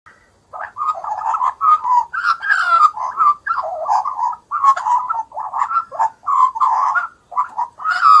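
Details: Young Australian magpie in Australia calling at feeding time: harsh, nasal, wavering squawks in a nearly continuous run of short bursts, about a dozen in eight seconds, with brief gaps between them and no other clear sounds.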